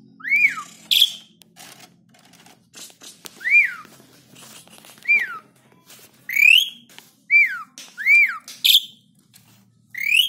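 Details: Tame, unstressed captive black-winged starling in full song, used to provoke other birds into singing: loud, clear whistled notes that arch up and slide down, repeated every second or so, mixed with sharp clicks and rattling knocks.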